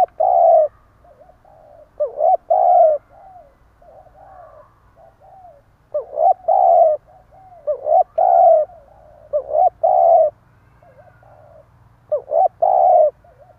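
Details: Decoy spotted dove in stuttering coo style, meant to provoke rivals: phrases of quick broken notes and full, deep coos repeated about every two seconds, with softer wavering coos between.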